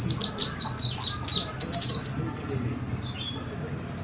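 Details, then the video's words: Sunbird sound used for luring, clean and clear: dense rapid high chirps and short downslurred twitters at first, thinning to spaced single thin notes toward the end, with a faint low hum. "Suara pikat dan pancingan burung kolibri wulung,kowul suara bersih"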